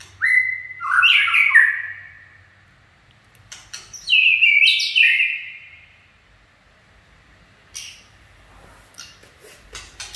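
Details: White-rumped shama, chích chòe lửa, singing its 'run' song: two loud whistled warbling phrases rising then gliding down, separated by silence, then scattered sharp clicks and faint high notes.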